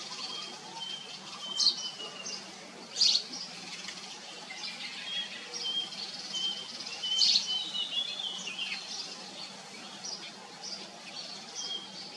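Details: Common iora parent feeding chicks. Several sharp, high chirps stand out among a busy mix of thin level whistles and twittering notes across twelve seconds, over a faint steady hiss.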